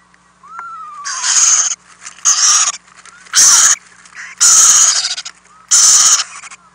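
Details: Owlets in a nest house during overnight feedings, with the two adults delivering many prey items, April 2018: harsh broadband hissing bursts roughly a second apart, plus a brief falling whistle near the start and light scraping.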